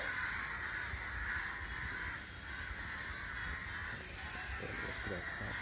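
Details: A gathering of crows: a dense, continuous chorus of overlapping harsh caws from many birds, steady throughout with no single caller standing out.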